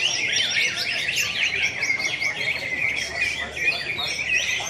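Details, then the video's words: Several greater green leafbirds compete in song at an event in Pontianak, West Kalimantan, on 3 April 2016; quick descending and rising whistled slurs and chatters overlap densely, with a light murmur of voices. "BURUNG CUCAK HIJAU"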